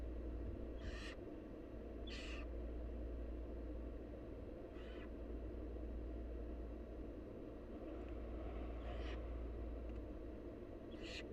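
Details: Wild barn owl young calling for food as the mother feeds them: six to seven rough, sibilant screeches, some softer, recurring every one to two seconds above a low continuous rumble.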